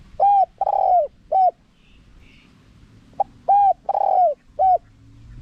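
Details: Spotted dove calling in wild-style phrasing with a small voice, meant to draw wild doves in fast. Two phrases of three mellow coos each: a short note, a longer slightly falling coo, then a short closing note, over quiet background.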